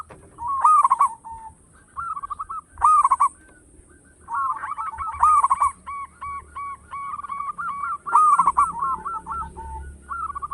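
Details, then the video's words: Local zebra dove singing vigorously with a big voice, suited for luring other doves: loud clipped bursts of rapid notes recur every two to three seconds, each trailing into purring, rolling coos. "Perkutut lokal gacor suara besar bikin gempar bunyi seteras cocok buat pancingan"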